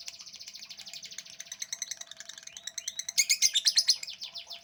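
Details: Long-running lovebird ngekek song made of fast, metallic chattering notes mixed with rising squeaks, ending in a louder, harsher run of pulses.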